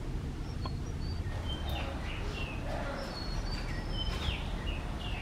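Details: White-rumped munias visiting a feeder in Kerala give sparse thin twittering notes, brief high slurs dotted through the clip against a broad low noise bed.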